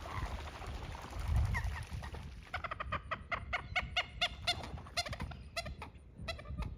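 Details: Common moorhen giving a rapid series of short, clucking, harmonic notes that start after a noisy, rumbling opening and continue unevenly to the end, with low background rumble throughout.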